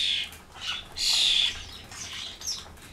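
Starlings chatter in a harsh, noisy racket of overlapping squawks and rasping notes, loudest in a long grating burst near the middle.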